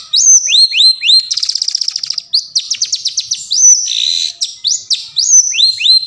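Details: Wild long-tailed shrike singing in forest, used as a lure to set silent shrikes singing: rapid series of clear rising whistled upsweeps, then a fast buzzy trill and more scratchy notes, densely repeated.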